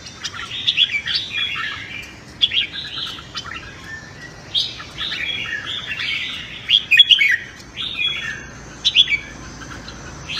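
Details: Red-whiskered bulbul singing competitively in the morning as voice training to excite newly caught birds. Clustered bubbly whistled phrases come in several bursts separated by short gaps over ten seconds.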